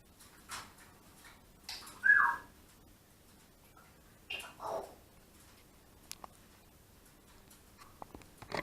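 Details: An African grey parrot taking a shower gives a few scattered raspy squawks and one clear rising whistle, with quiet pauses and soft clicks and knocks in a small room.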